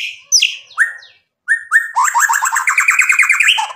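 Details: White-rumped shama in lively full song used as a lure to provoke a rival into singing back: clear slurred whistles with downward sweeps, a short pause, two rising whistles, then a rapid run of rising chattering notes at about eight per second.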